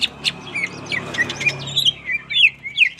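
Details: Greater green leafbird song during training: quick chattering with bright whistled slurs and rising-falling notes in irregular bursts, plus a low steady hum underneath.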